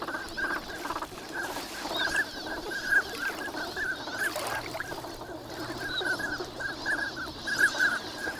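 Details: Wintering migrant ducks at Nagahama, Lake Inawashiro, recorded on a sunny morning. Repeated short whistles overlap from a large flock in a steady busy stream, with soft wind and water noise underneath.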